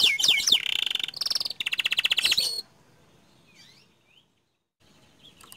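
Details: Panda canary with a burst of fast rolling song: sweeping notes then two rapid buzzy trills lasting about two seconds, followed by near silence with a few faint distant chirps.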